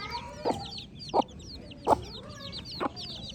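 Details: Many baby chicks peeping in overlapping, high, down-sliding chirps. Four loud, low, clipped clucks fall roughly every two-thirds of a second.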